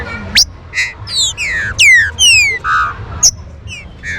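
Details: Trinca-ferro, the green-winged saltator, singing an energetic warm-up song: strong whistled phrases sweeping downward, short harsher burry notes and sharp upward flicks following quickly one after another, low hum underneath.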